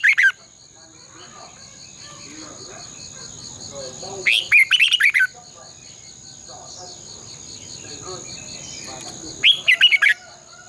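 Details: Red-whiskered bulbul competitive singing, a morning decoy recording for training caged birds, long twisted double voice: three separated phrases of fast, rich warbled notes, roughly every five seconds, with a steady insect-like high hum throughout.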